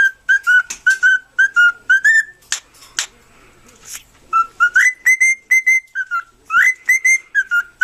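A cockatiel whistles a song of short, clear notes, some flat and some rising, in quick phrases.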